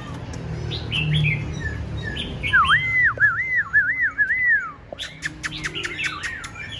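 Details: Tame caged Black-throated laughingthrush singing alone without a female on a very cold day, said to sing all day: one long looping whistled phrase of rising and falling wavy notes, with short squeaky notes before and after.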